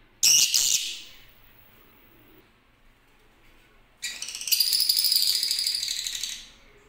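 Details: Yellow lutino lovebirds give shrill, harsh chattering bursts: a brief sharp burst, a quiet pause, then a longer run of rapid, grating chatter.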